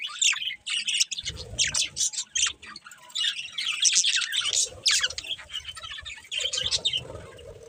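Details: Several pet budgerigars chirp in lively bursts of sharp, high clicking twitters and brief whistles, with short gaps and faint low rumbling behind.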